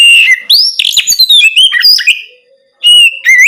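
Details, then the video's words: An Oriental magpie-robin sings loud ngeplong song at night to coax other magpie-robins into singing. The song is a dense stream of varied whistles, sweeps and chirps, then a brief pause and clear rising whistled notes. "Terapi Kacer ngeplong malam hari untuk pancingan Kacer bahan agar lekas nyaut bunyi"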